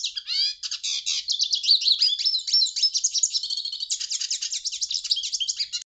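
A hooded siskin sings a long, fast jumble of high twitters, trills and buzzy notes without a break for about six seconds.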